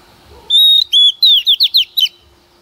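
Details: A female Oriental magpie-robin sings as a lure to stimulate males: a sustained clear whistle, a second whistled note, then a fast series of bright descending slurs.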